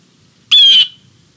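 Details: A Blue Jay announces its visit before appearing on a feeder platform on 11 March 2020 at 16:50, giving one loud, harsh, ringing jay note of about a third of a second, with a quiet low background murmur.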